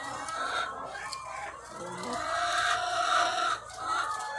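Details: Thousands of laying hens on a farm: a crowded din of rapid clucks and higher cackling notes, growing louder midway, then briefly dipping, over a faint low hum.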